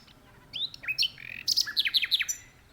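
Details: Common nightingale singing from a tree in an open spot: a high whistled opening, then a run of loud, sharply descending notes repeated about five times in quick succession.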